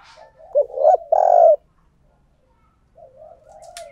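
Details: Decoy spotted dove cooing to attract wild birds gives one strong phrase of quick low hoots ending in a drawn-out coo, followed by silence and a faint softer coo.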